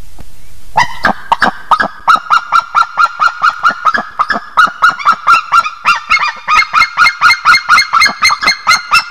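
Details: Pair of Estonian White-tailed eagles singing together at the nest after mating, dawn, 16 March 2021: two birds overlap in a continuous rapid chain of loud yelping, kyik-kyik notes, quickening and growing denser toward the end.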